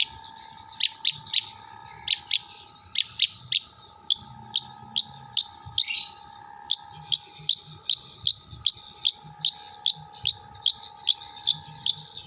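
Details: Jember long-tailed shrike with song material copying kuntilanak, gereja and tengkek buto: a long run of sharp, high single chirps repeated roughly every half second, one buzzy rasping note near the middle, steady faint humming in the background.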